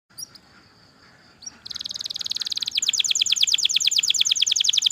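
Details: Canary song used as a master recording, starting after a quiet pause with a buzzy trill, then a fast run of repeated down-slurred whistles that grows louder toward the end.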